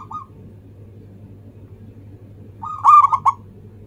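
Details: Local zebra dove giving its manggung cooing song, used as a lure to prompt other birds to sing: a short tail of a phrase, then a quick burst of mellow rolled coos ending in three clipped notes, over a low steady hum.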